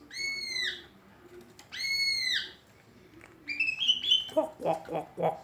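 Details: Greater green leafbird giving an unusual, trendy voice: two long, clear, slightly arched whistles with rich overtones, then a short rising high phrase and a fast run of lower, buzzy, evenly spaced notes.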